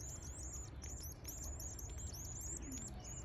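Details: Canary chicks at day 11 begging while being fed: a dense, continuous stream of thin, high, arched peeping notes, each quickly rising then falling, overlapping in rapid succession over a steady low hum.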